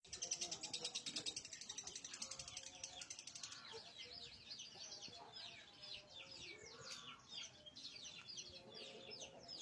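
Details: Lovebird singing in a fast, shrill burst of rapid high pulses, then a run of quick downslurred chirps. Other birds and faint human voices are in the background.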